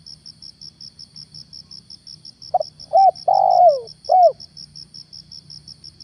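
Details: Spotted dove serving as a lure bird in the morning, uttering one phrase: short soft note, arched coo, a prolonged downward-sliding coo and a closing arched coo, with steady cricket pulsing throughout.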